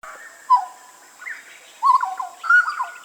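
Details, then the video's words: Hooded butcherbird song on a master for training songbirds: three bursts of clear whistled notes, the first a held tone, the later ones quick wavering phrases, over a faint steady high hiss. "Masteran Burung Jagal Papua Suara Asli"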